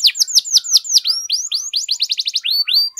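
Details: Singing canary, played to excite other canaries into song: quick downward-curving whistled notes, then a run of short clipped chirps and two longer rising sweeps, all high and bright.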